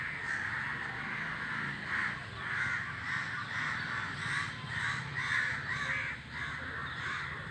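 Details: Crows in a flock calling as they fly, a steady stream of rough, raspy caws roughly every half second, overlapping one another over a low background rumble.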